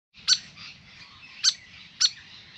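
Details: Grey fantail visiting a backyard birdbath around a long bath, giving three sharp, high clicking chip notes, spaced irregularly, over faint background twittering of other small birds.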